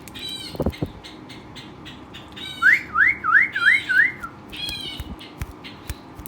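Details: Energetic pet Western rock nuthatch producing a set of five upward-sweeping whistled notes amid softer buzzy calls, with faint background noise and a brief knock.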